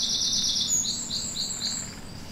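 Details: Eurasian wren duet in a British woodland in January, a blue tit also singing: an opening rapid high trill, followed by a series of short high notes repeated in pairs at two pitches, fading slightly.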